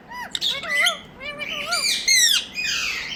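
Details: A talking parrot tagged to India gives a rapid chain of bending, harmonic-rich squeaky notes, wavering up and down, ending in a harsh rasping squawk.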